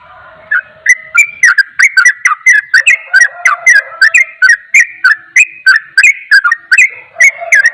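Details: Sooty-headed bulbul in rapid continuous ropel-style song said to agitate other bulbuls: quick, dense run of sharp chirping notes around mid-high pitch, fired several times a second with sharp clicks on top and a faint lower tone underneath.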